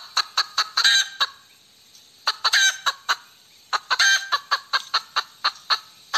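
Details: Hen cackling repeatedly: rapid runs of sharp, harsh clucks rising into longer raspy squawks, in three bursts separated by brief pauses.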